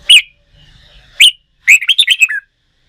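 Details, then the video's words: Wild-caught red-whiskered bulbul being trained to sing for singing contests. Two sharp, high chirps are followed by a quick, bright warbled phrase of rising and falling whistled notes. "Luyện chim hót đấu, kích chào mào bổi"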